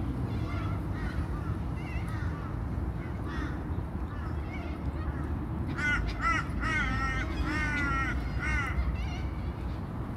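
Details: Cockatoos at a shopping centre car park in Brisbane, Australia, give harsh, ringing squawks in quick bursts, busiest toward the end, over a steady low rumble of traffic.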